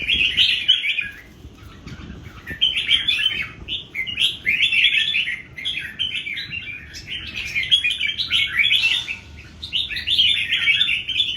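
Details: Old wild-caught red-whiskered bulbuls, three of them, duelling in song: bursts of lively chattering warbles a second or two long, repeated with brief gaps, over a steady low background noise.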